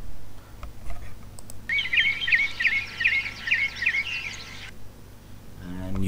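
A Northern Mockingbird's bright song phrase: about six sharp, chirpy notes repeated roughly every half second. Low room hum underneath, with a brief rumble at the end.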